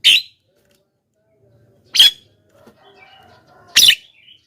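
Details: Javan myna used to call in wild mynas: three harsh, buzzy squawks about two seconds apart, with faint soft chatter between them.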